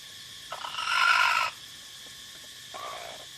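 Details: Crowing of a white and gray jungle fowl chicken: one strong, rough, sustained crow of about a second, then a weaker, shorter one. A steady high insect-like hum runs underneath.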